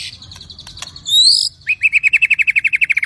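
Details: Agitated white-rumped shama, singing to goad other shamas into singing and fighting, gives a sharp rising whistle and then a fast, even trill of clipped repeated notes, about six per second.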